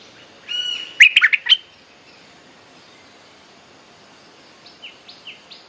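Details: Bulbul mating call played as a lure for young birds: one short burst of rich, bubbly notes after a brief faint whistle, then quiet with a few soft, distant chirps.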